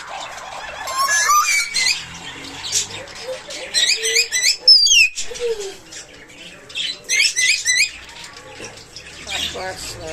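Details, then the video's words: Pet talking myna chattering in bursts of harsh, buzzy, clipped syllables with brief whistled notes, several loud phrases spread across the recording over steady background noise. "কথা বলা ময়না পাখি II talking birds moyna pakhi"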